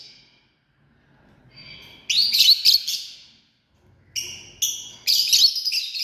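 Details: Lovebird family chattering in loud, shrill, rapid bursts of squeaky chirps and screeches, two main volleys separated by a near-silent pause, with some low rustling underneath.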